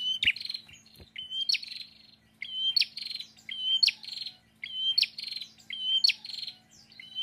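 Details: A lively pet prinia in full song sings a rapid series of bright, high chirping bursts, roughly one per second, with sharp snapping clicks between phrases over a faint low hum.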